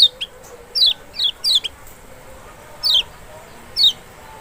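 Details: Lemon-bellied white-eye (large kecial of Lombok or Sumbawa) sound for provoking a reluctant bird: a cluster of three quick downward-sliding high notes, then two isolated falling notes after pauses.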